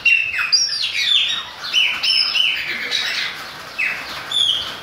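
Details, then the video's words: Chopi blackbird singing in the rain, a busy stream of overlapping whistles and slurred notes over a steady hiss. "PÁSSARO PRETO CANTANDO NA CHUVA !"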